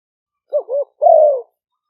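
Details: Spotted dove decoy bird in the lively 'phat phon' style, recorded live in Roi Et, Thailand. Two short, dipping coos are followed by one longer, steadily falling coo.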